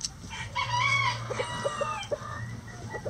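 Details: Chickens at morning feeding in a coop, one giving a long, wavering, rising-and-falling call, followed by a string of short, evenly spaced clucks.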